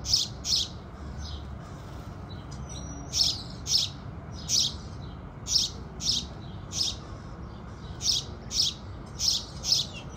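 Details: House sparrows singing with the rising sun: loud, short bright chirps repeated about every half second, with a few softer notes between them and a steady low background hum.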